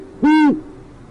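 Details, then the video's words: Great horned owl at an urban site in northwest Oklahoma City, the male making another unsuccessful attempt with the female heard, not seen. One loud, raspy, rich-toned call lasting about a third of a second, then quiet. "Altera heard not seen - Alessondra's OKC Great Horned Owl"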